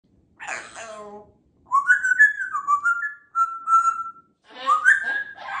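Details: Pet African grey parrot saying hello, then whistling a tune from Tchaikovsky's 1812 Overture indoors: a spoken word followed by clear, rising and falling melodic whistled phrases in short runs.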